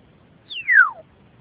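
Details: A pet grey parrot, female, that also talks and moos at cows, giving one clear whistle that slides smoothly from high to low over half a second, over a faint low hum; a wild bird sits on the fence outside.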